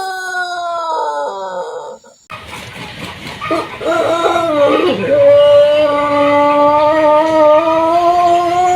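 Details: Pelung chicken from Cianjur, West Java, Indonesia: one long crow ends, then after a cut a new crow starts with quavering notes and settles into a smooth, level, sustained tone held over three seconds.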